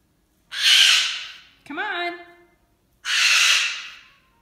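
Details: Pet cockatoo screaming for its owner's husband, who cannot come to it: two harsh, broadband screeches about a second each, roughly two and a half seconds apart, with a short rising squawk between them.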